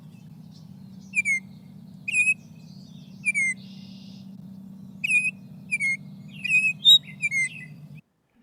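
A Baltimore Oriole sings clear, downward-slurred whistled notes in short paired phrases with small gaps, repeated about eight times over a steady low electrical hum.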